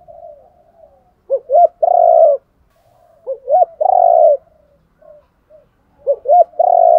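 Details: Decoy cooing of male and female spotted doves, played to push trainee birds into calling. Three phrases each run two quick hiccup notes into a drawn-out throaty coo, with soft faint coos trailing between them.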